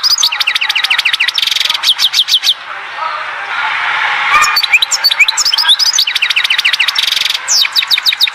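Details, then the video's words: Goldfinch song from the Oued Zhour area of Skikda. Fast, ticking trills of repeated high notes come in two long bursts, separated by a quieter patch of muffled background sound. "تغريد حسون واد الزهور سكيكدة"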